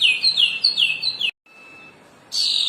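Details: Cendana bird singing its original natural song: a quick run of four bright, high whistled notes, each sliding downward, delivered in about a second, then a brief silence and a fresh burst of high, rich notes.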